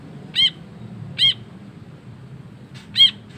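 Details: Ashy bulbul in full voice giving three sharp, buzzy, harsh notes spaced close to a second apart, with a faint softer sound just before the last, over quiet low background noise.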